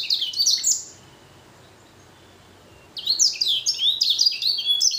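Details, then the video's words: Blackthroat x canary hybrid finch in full song: a burst of rapid, high twittering and sweeping notes, then about two seconds of near silence, then another lively, jumbled phrase of bright chirps and trills. "Blacken Gacor Warna Unik Sekali | Blackthrout x Kenari"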